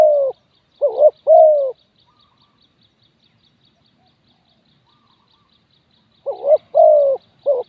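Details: Decoy spotted dove luring wild doves calls in bursts of short and long mellow coos. A pair of phrases opens the recording, followed by about four seconds of silence and then another run of coos.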